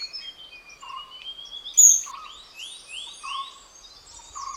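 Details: In the Western Ghats, India, in the morning, courting Oriental dwarf kingfishers give thin, very high squeaky notes and short falling sweeps. Lower buzzy tones, possibly frogs or other birds, sound about every second.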